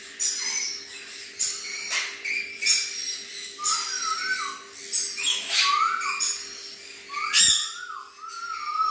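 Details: An adult male red-collared lorikeet gives shrill, harsh screeches in short bursts every second or so, mixed with a few clear rising whistles, over a steady low hum.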